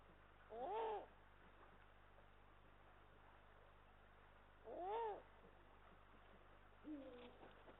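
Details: Eurasian eagle-owls, a male and female pair at their Estonian nest, recorded 18 March 2022 by a nest camera: two strong arched, nasal-sounding calls roughly four seconds apart, then a shorter flatter call, all over low background hum.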